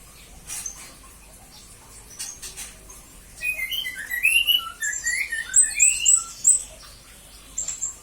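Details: Serindit, a small parrot, singing as a master recording for training magpie-robins and green leafbirds; faint clicks early, then a run of quick high chirps and short whistled notes over soft background hiss.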